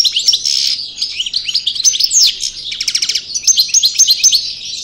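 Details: European goldfinch, Parva Cravaty from El Bordj, singing after moult as it reworks its song: a fast, bright twitter of liquid notes, a dry rattling trill in the middle, then more tinkling phrases.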